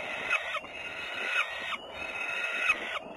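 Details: Peregrine falcon in Włocławec, Poland, on a Sunday afternoon, 6 June 2010: harsh, grating calls about a second long, repeated in a steady series with brief gaps.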